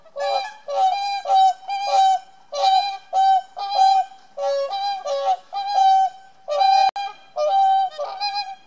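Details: Whooper swans defending territory at Niilesjärvi, Oulu, Finland, on 24 April 2017: loud, rich trumpeting honks repeated rapidly, about one and a half per second, several birds overlapping in a continuous bugling chorus.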